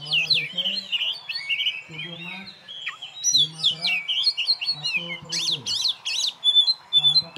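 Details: Champion oriental magpie-robin (kacer) kept caged and singing by itself: rich, rapid whistled and chattering phrases, sweeping up and down, with a man's voice talking in the background.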